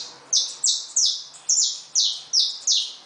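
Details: Free-living saffron finches at a feeder; a run of seven sharp, high, down-slurred chirps, spaced about every third of a second, over a quiet background.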